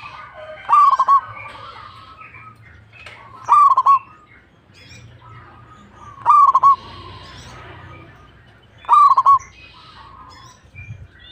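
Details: Zebra dove of local Indonesian stock singing steadily: four bright, rapid, stuttering coo phrases spaced about three seconds apart, over soft background cooing and faint low rumble.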